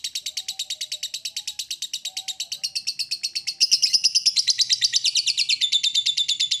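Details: Ngekek trill from a lovebird, meant to set other lovebirds trilling: a fast, sustained run of high chattering pulses at a steady pace that grows louder and shifts tone partway through, continuing to the end.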